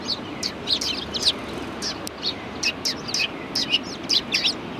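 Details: Flock of sparrows coming to be fed at a Tenmangu shrine on 6 March 2020, giving rapid overlapping chirps and twitters, a lively chatter of many short high notes.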